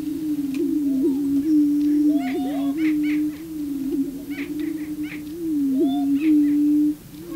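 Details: Displaying male prairie chickens booming to draw a female on the booming grounds: an unbroken low moaning hum, with bursts of higher cackles and quick upward whoops riding over it.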